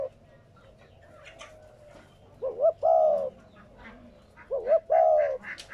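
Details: Spotted dove coo meant to prompt newly caught doves to coo. After quiet background chirps, two low phrases come about two seconds apart, each a brisk rising pair of notes followed by a smooth, slightly descending coo.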